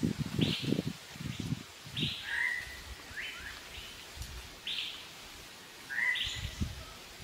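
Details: Malabar grey hornbill in Kerala giving short, harsh, slightly rising calls in loose bursts of two or three, each burst about a second apart. Low rumbling bursts, likely wind or handling noise, run underneath.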